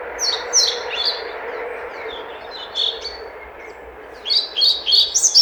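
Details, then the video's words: European pied flycatcher song: a rapid high phrase of sweet, chirping notes, a softer pause with a few scattered notes, then a second lively high-pitched phrase. "Мухоловка-пеструшка поёт"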